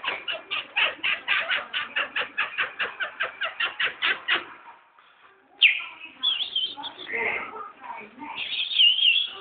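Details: Chestnut-bellied seed finch, a curió perched free on a hand, sings a run of about twenty rapid buzzy notes, then pauses before varied whistled and twittering phrases.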